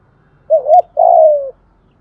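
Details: Spotted dove lure bird singing in the 'thổ' voice style, used daily to spur newly caught birds to sing: a short mellow coo, then a longer, smooth, slightly falling cooing note, over a faint low hum.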